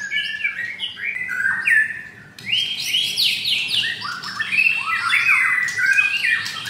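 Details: Captive-bred white-rumped shama kept caged in Jakarta, pouring out a rich, varied song of rapid down-slurred whistles, clicks and harsh notes, growing denser and louder in the second half.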